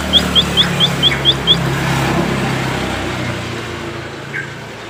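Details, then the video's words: White-headed munia, a recording used to train cage birds: a quick run of seven short, sharp high notes in the first two seconds, then a single faint note, over steady low traffic rumble. "EMPRIT KAJI BELAJARAN DI JAMIN LANGSUNG NYAUT"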